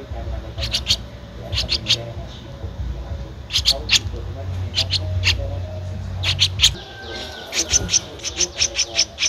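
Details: Streak-eared Bulbul nestling at 13 days, Ubon Ratchathani, Thailand, 15 April 2023: scattered groups of high, thin squeaks over a low rumbling hum, then a faster run of squeaks at the end.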